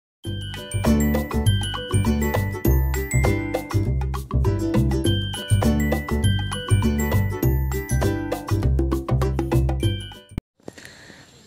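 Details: Lively music with a strong bass beat and bright chiming tones, ending in a brief hiss of noise, with no animal voice.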